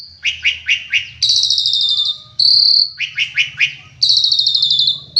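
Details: Asian pied starling in full tembakan song: quick series of sharp repeated notes alternating with long buzzy trills and a sustained high whistle, the pattern repeating twice.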